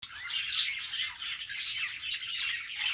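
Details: Happy budgerigars chattering continuously: dense, scratchy warbling mixed with sharp chirps and squawky notes, overlapping without pause for the whole stretch.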